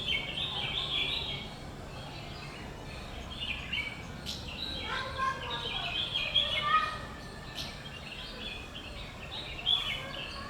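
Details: Dusky crag martins feeding chicks at a nest in Yercaud, Tamil Nadu: bursts of thin, high twittering chatter rising and fading over about ten seconds, with a murmur of background noise.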